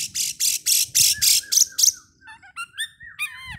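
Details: Oriental magpie-robin lure for provoking song before a bird contest: about eight loud, rasping, hissing bursts in steady rhythm, then a string of short whistled notes and bending, slurred whistles.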